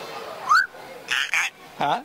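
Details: Hanuma, a double yellow-headed amazon at a temple in Frisco, Texas, usually shy, talks on a man's shoulder before thousands of people on 7 July 2013: a rising whistle, two harsh squawks and a nasal speech-like utterance, crowd murmuring behind.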